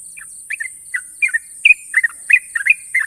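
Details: Softer stretch of ropel song from a champion sooty-headed bulbul: scattered chirpy double notes, a few stronger rising whistles, spaced unevenly over steady background hiss.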